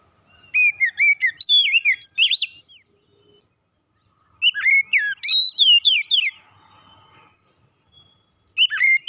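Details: Captive Oriental magpie-robin singing to prompt other home birds to sing: three energetic bursts of varied whistles, chirps and sliding notes, with quiet gaps of about two seconds between them.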